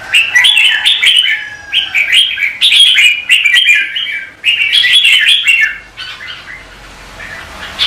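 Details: Red-whiskered bulbul competitive singing, lure-bird sound for training: rich, fast warbled phrases in quick bursts with short gaps, energetic and loud, trailing off into soft notes in the final two seconds.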